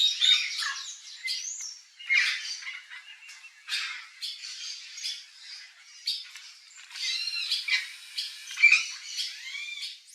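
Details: Wild turquoise-fronted amazons in natural habitat in Brazil give harsh, grating squawks mixed with shorter screeches and chattering notes, loud and irregular throughout.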